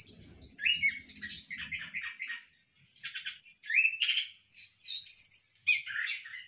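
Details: Orange-headed thrush kept for captive breeding in a hanging cage gives rich, fast, varied phrases. Sharp descending whistles alternate with scratchy chatter, with a short pause mid-clip. A low rumbling noise sounds early on.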